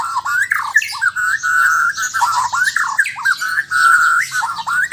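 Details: White-rumped shama from Sabah, Borneo, delivering loud, harsh, squawking phrases repeated in bursts of about a second, with mid-pitched rasping notes and short upward slurs.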